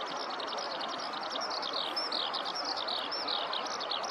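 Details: Ground-singing Eurasian skylark in a rice field, recorded close; a quick, unbroken run of high twittering and trilled notes with a few clear whistles, over steady background noise.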